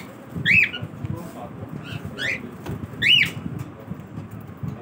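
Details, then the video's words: Cockatiel in the morning, calling with loud arched whistles that rise and then fall, three clear calls about a second and a half apart, each rich in harmonics, over a low indoor hum. "Cockatiel Morning Routine"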